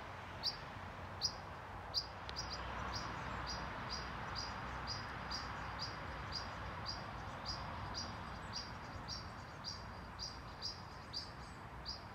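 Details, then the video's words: European pied flycatcher, Haga in Sundsvall, Sweden, 20 June 2023, parent warning chicks hidden in a nest box; long run of thin sharp high ticks, some rapid and overlapping, steady and insistent against continuous low background noise. "Svartvit flugsnappare, varnar ungar"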